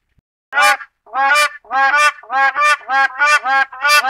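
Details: West African or black crowned crane calling: a series of seven harsh, goose-like honks starting after half a second of silence, then repeated quickly at about two per second. The notes are resonant and layered, with no other sounds.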